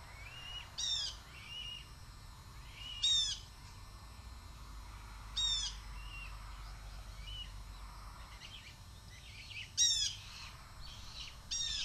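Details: Red-tailed hawk youngster screaming whenever its mother flies by beneath the nest, begging for food, on 7.2.23. About five harsh, falling screams are spaced irregularly over twelve seconds, with quieter whistled whines between them.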